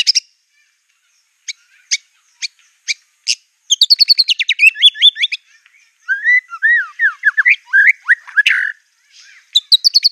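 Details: White-rumped shama in raging song, mixing imitations of canary, cililin and cungkok: spaced single sharp notes, then a rapid high chattering run and a series of lower looping whistled slurs.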